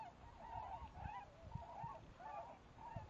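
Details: A flock of tundra swans on spring migration north over Lake Erie, in a field near Jarvis, Ontario, on 19 March 2011, some taking flight, gives mellow, high, hooting whoops, overlapping about every half second over low wind rumble.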